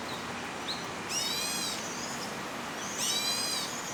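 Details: A juvenile crested goshawk perched high in Daan Forest Park, Taipei, on the morning of 30 June 2022, begging for food, gives two thin, high, drawn-out screeching calls about two seconds apart, with faint chirps and a soft hiss.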